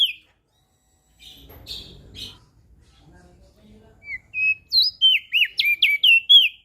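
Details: After soft low rustling, a Lombok crested white-eye, used as a singing model for birds that rarely sing, delivers a quick series of bright, high, bending whistles during the final two seconds.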